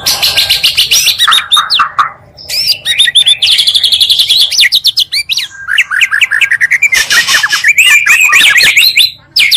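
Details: Two Oriental magpie-robins' songs combined to quickly rouse other magpie-robins; long energetic medley of rapid repeated high notes, slurred whistles and scratchy trills with few brief pauses.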